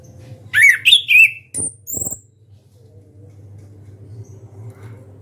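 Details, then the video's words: Caged Orange-headed thrush singing loudly with open beak: a quick phrase of three or four warbled whistles followed by two thin high notes, then silence apart from a steady low hum. "ANIS KEMBANG SUARA KERAS BUKA PARUH"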